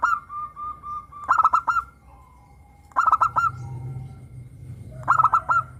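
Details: A caged local zebra dove with a crystal-clear voice sings to prompt other doves. Bursts of about four quick, bright staccato notes come roughly every two seconds, linked by longer, smoother held tones.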